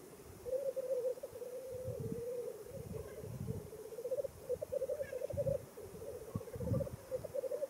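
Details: Black grouse at a lek at World's End, Wales, in April 2017, giving a continuous bubbling, dove-like rookooing chorus that rolls on without pause, with a few faint hissing sneezes and low wind rumble.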